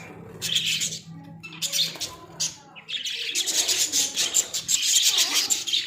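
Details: Budgies from Australia in a small cage: uneven high chirps at first, then a long run of fast, buzzy warbling chatter with sharp squeaky notes mixed in, and a faint low hum underneath.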